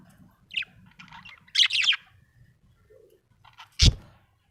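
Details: Happy budgerigar chirping: a few short, bright, falling chirps in quick bursts, then a dull thump near the end; quiet room between calls.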